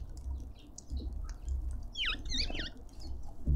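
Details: Cut-throat finches squabbling over food at a feeder in a suburban garden in Pretoria, South Africa: a quick cluster of sharp, downward-swooping chirps mid-clip over low rumbling background noise and soft rustling.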